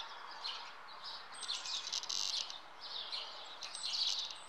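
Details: Common house martin (Delichon urbicum) at its nest gives a steady stream of dry, high chirrups and twitters, overlapping and fairly busy, over faint background hiss.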